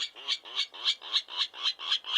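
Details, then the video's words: Virginia Rail giving a rough, pig-like grunting series of harsh, buzzy notes repeated evenly about four times a second, around sixteen notes that then taper off, with no other sounds. "To me, it sounds like a pig grunting."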